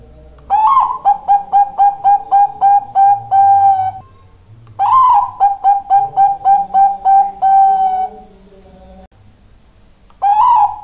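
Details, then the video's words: Zebra dove of the Bangkok type singing vigorously: phrases open with a rising cooing note followed by a fast series of about eight to ten short clipped coos ending on a longer held note, repeated three times, quiet background. "perkutut bangkok gacor"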